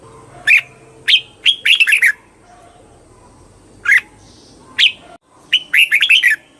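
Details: A red-whiskered bulbul sings cheerful, bubbly phrases of rapid warbled notes, with single sharp call notes scattered in the pauses between them.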